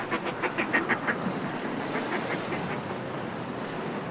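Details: Northern fulmars in groups displaying on cliff ledges, recorded close up: a quick burst of harsh, rhythmic cackling pulses over the first second, then softer chatter fading into a steady wash of sea.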